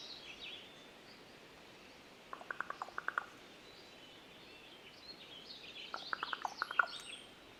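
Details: Common Raven at Yuba Pass in Tahoe National Forest, Sierra, California, making an unusual knocking sound: two rapid series of dry, clicking knocks, each about a second long, separated by a few seconds of quieter background calls.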